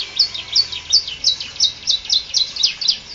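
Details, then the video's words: Canary in full song, with the varied filling phrases used as a tutor recording for other birds: high bright chirped notes repeated about every quarter second in a steady, lively run. "Burung kenari ful isian cocok untuk masteran"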